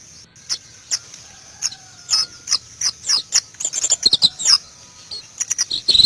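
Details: White-eye (pleci) from Indonesia giving scattered high thin chirps that build into a faster twittering run near the end, with quiet gaps between early notes.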